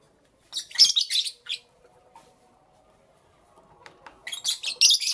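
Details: Morning lovebirds, kept as pets, burst into loud, shrill chattering at the start, fall nearly silent for a few seconds, then resume with another run of piercing chirps.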